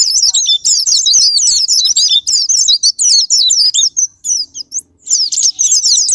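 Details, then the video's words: White-eye (pleci) used as a singing lure: busy high chattering trills that thin into scattered whistles, pause briefly, then resume, over a faint low hum. "Pancingan Super Gila Sparing Patner,ampuh buat pancingan Semua jenis burung pleci pemicu andernalin"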